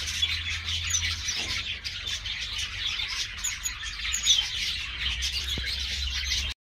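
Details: Captive-bred, pure-line star finch young that have just fledged, 2021, give a dense, continuous wash of thin, high chirps and tweets over a low hum.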